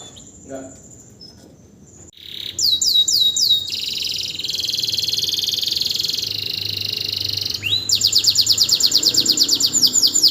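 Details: Canary singing strongly straight after its moult with no conditioning, ready again to serve as a song tutor. After a quiet start comes a loud run of rapid rolling trills and a long steady buzzing roll, ending in fast repeated looping notes.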